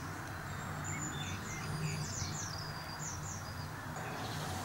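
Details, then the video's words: Brambling giving a scatter of very high, thin chirps and short whistled notes, several overlapping, over low background rumble. "keep Fringilla montifringilla brambling"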